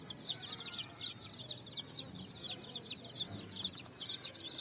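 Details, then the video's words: Dyed chicks running about on sand in the evening, finding food; loud, high, closely spaced peeps from many chicks, continuous and overlapping, with little background noise. "Chicks Chirping"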